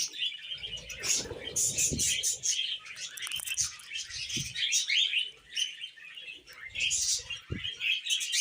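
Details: Tame pet Budgerigars chatter in a busy stream of high, scratchy warbles and chirps.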